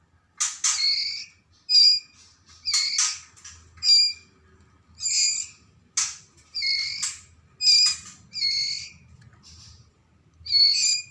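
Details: Juvenile white-rumped shama, Medan type, Lamongan, East Java: a steady series of about ten rasping, hissy high calls, each under half a second, roughly one per second, over a quiet low background hum.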